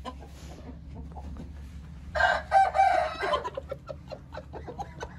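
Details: Crow of an Aseel (Indian) rooster: a steady background murmur gives way to one strong, rough crow of just over a second, followed by scattered sharp clucks and pecking clicks.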